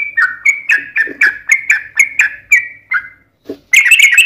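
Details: Trucukan (yellow-vented bulbul) giving a long 'ropel' fighting song: quick run of scratchy descending two-part notes, a brief pause, then a burst of denser, higher chatter.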